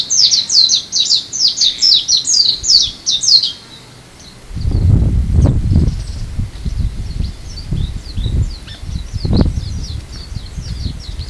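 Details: Japanese white-eye on Amami in February: loud, quick, high, falling chirps for about three seconds, then softer, scattered notes continue farther off while rustling and low handling thumps fill the background.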